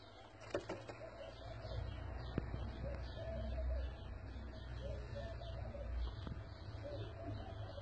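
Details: Filo pigeons, a domestic breed, giving soft, throaty coo phrases that repeat irregularly over a low rumbling background, with a few sharp clicks and taps early on.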